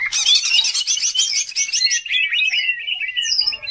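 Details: Greater green leafbird singing vigorously, a lure song for training other birds: a dense rush of rapid chattering notes with harsh, buzzy texture, then clearer slurred whistles and a few rising and falling high notes.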